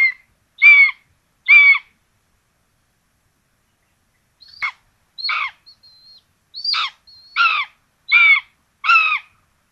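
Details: Common buzzards at a nest in Tiszalök, Hungary, 26 June 2022, where two chicks are fed a rabbit for breakfast; short, harmonic, downslurred calls repeat about once a second, then resume after a four-second pause.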